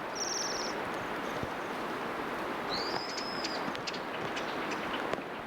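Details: Wild Bohemian waxwing giving high, thin trilled calls: a short buzzy trill, then a longer, slightly rising, shimmering trill about two seconds later, over a steady hiss of background noise.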